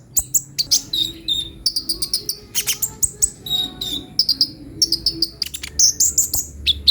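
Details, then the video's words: Kolibri ninja sunbird chattering in rapid high chirps and slurred whistled notes, with short buzzy phrases woven between, steady and energetic throughout. "suara burung kolibri ninja"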